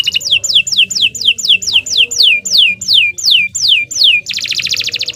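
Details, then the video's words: Canary song for training other birds: a series of loud descending whistled slurs, about three per second, ending in a dense buzzy rattle. "16 Suara Burung Kenari II GACOR PANJANG Cocok untuk Masteran"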